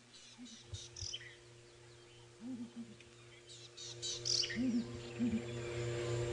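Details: Female Southern Ground Hornbill calling at sunrise on 21 February 2018 in Djuma Game Reserve, Sabi Sand, South Africa, likely a lone bird often seen by itself. Deep, soft, arched hoots come in pairs and short groups over a steady engine hum, with thin chirps from other birds.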